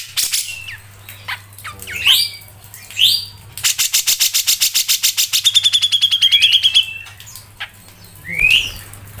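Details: Grey-cheeked bulbul in full ngepik song for songbird training: loud upswept whistles, then a long run of rapid ticking notes joined by a level trill, ending with another rising whistle. A low hum is present throughout.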